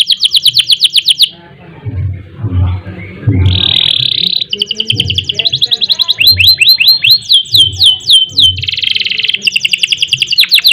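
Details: Canary song in a fast, energetic 'gacor' style with long rolls and bursts: rapid descending whistled notes, a harsh buzzy band, then quick repeated downslurred trills; faint low thumps in the background.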